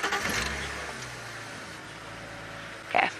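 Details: A vehicle engine starts and runs during an early-morning safari drive, with voices at the start and a sharp clatter near the end.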